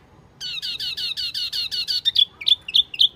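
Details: Wambi mini lure call: a fast, even series of high, slurred whistled notes, about four per second, slowing into separate sharp chirps toward the end.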